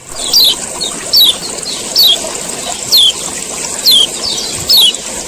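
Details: Male common iora repeating its ciak ciak call to draw other ioras into song: bright high chips that slide downward, about one per second, steady and evenly spaced, over a persistent high hiss.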